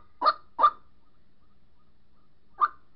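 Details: White-breasted waterhen calling a mate, a lure for trapping: two close, rough croaks, a long quiet gap, then a single further call.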